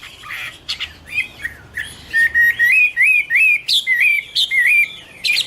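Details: Chinese hwamei delivering a varied whistled song, with softer scattered notes at first, then a run of loud, looping slurred whistles repeated in quick succession, with sharp high notes between them.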